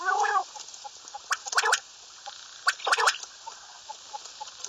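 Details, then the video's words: Common quail giving quick three-note bursts of sharp clicking pulses, two clear triplets about 1.4 seconds apart, following a brief harsh harmonic call from another bird. "Bater Ki Latest Awaz, Batair ki Awaz, Bater , Bater fight, Bater voice , Common quail"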